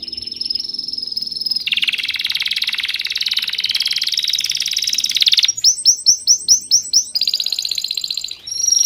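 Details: A bird sings a long rapid high trill that shifts into a broader buzzy section. Then come evenly spaced strong chirps, about three per second, and a return to fast trilling.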